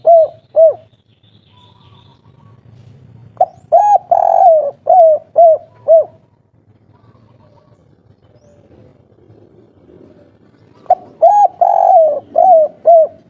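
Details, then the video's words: Spotted dove calling agitatedly in the 'kuk 3' style to lure other doves into answering. A pair of coos opens, then two full phrases follow, each with a long rolling coo and falling triple coos. A low hum runs underneath. "Suara asli tekukur kuk 3 ngamuk - raja pancingan langsung nyaut"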